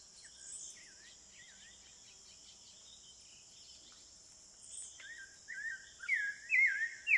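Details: Spectacled thrush in Brazilian Amazon forest at Serra do Navio, Amapá: distant soft looping whistles fade to near silence, then nearer loud, rich warbled phrases swell toward the end, set against steady high-pitched insect drone.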